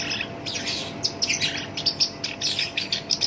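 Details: Kept black-browed reed warbler, known locally as sinchan, in full song with a rough voice, valued as a lure for other songbirds: a continuous rush of sharp, high, buzzy chirps and quick trilled notes.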